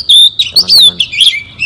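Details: Oriental magpie-robin song used as a lure for trapping, loud clear whistled notes sliding up and down, several short phrases in under two seconds.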